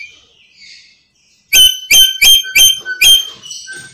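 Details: Faint chatter, then a black-capped lory bursts into five loud raspy squawks in quick succession, calls meant to lure other lories for trapping.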